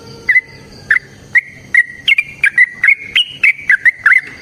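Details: Energetic fighting song of a Yellow-vented bulbul: a string of liquid whistled notes, first spaced about half a second apart, then quickening into a tumbling run of slurred, warbled notes.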